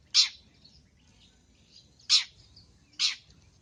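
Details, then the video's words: Actively singing long-tailed shrike from a cendet training recording rich in fill-in song; three loud, rough, scratchy notes with faint thin whistles between them. "MASTERAN BURUNG CENDET FULL ISIAN GACOR"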